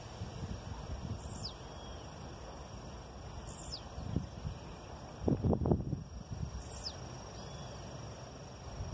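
A blue-black grassquit repeats a thin, high, downward-sliding note every two to three seconds, over steady insect buzzing and low wind rumble.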